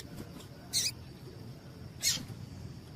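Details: A female double-collared seedeater gives two short, high, thin chirps about a second apart over a soft hiss, a female call used to stimulate males to sing.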